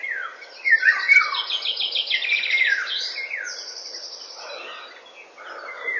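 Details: Eurasian golden oriole singing at 08:15 in the morning: fluty, falling whistled phrases in mid pitch, mixed with loud high, rapid trills and chirps from other birds throughout.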